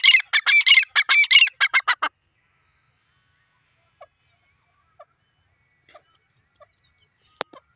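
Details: Jungle francolin pair in a fast, loud run of harsh, grating notes lasting about two seconds, then near silence with a few faint distant clicks and one sharp tap.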